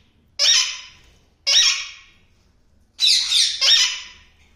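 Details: A pet yellow ringneck parakeet from a breeding pair gives four loud, harsh, grating squawks, each about a second apart, the last two run close together, with a quiet room behind.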